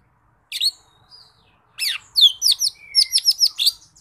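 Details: Lesser green leafbird in lively song: a high whistled opening, a pause, then a fast sequence of bright, bouncy, descending whistled notes repeated about five times a second.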